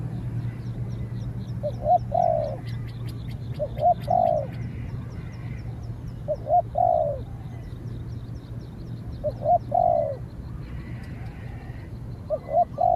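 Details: Spotted doves in a contest: a trained decoy dove faces a wary wild dove that fights from a distance and is finally driven off. Short cooing phrases come every two to three seconds over a steady low hum, with faint chirps above.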